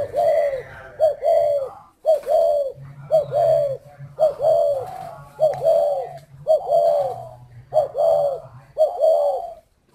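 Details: Spotted dove cooing steadily: short, mellow, slightly downslurred hoots about a second apart, repeated through the whole stretch over a low droning hum.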